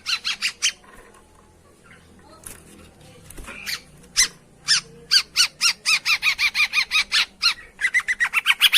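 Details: Long-tailed shrike lure sound to coax a bird that has stopped singing: a few quiet scratchy notes, then a steady, fast series of harsh, buzzy chatter notes, nearly two per second, rising in energy toward the end.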